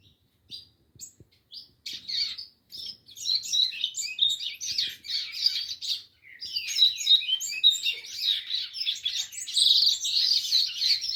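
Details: A rusty-collared seedeater sings a long, rapid jumble of high chirps and trills. It starts in scattered bits, then runs almost without a break, with a bright, buzzier closing phrase.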